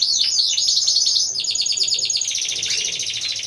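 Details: Timbrado Español canaries, a team of four, singing at a November 2015 song-canary competition and show. The song opens with falling whistled slurs, then runs into a fast, metallic trill of rapidly repeated notes.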